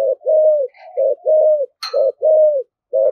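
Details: Spotted dove giving a very vigorous cooing in the thổ thúc gù voice style: low, mellow coos in a steady run, each slightly falling at its end, with short gaps between and one sharp click partway through.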